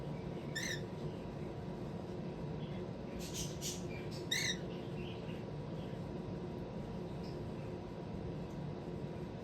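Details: A six-year-old female cockatiel, kept for about two weeks, makes this sound often, both in and out of her cage: a few short, clear chirps with a scratchy burst between them, over a steady hum.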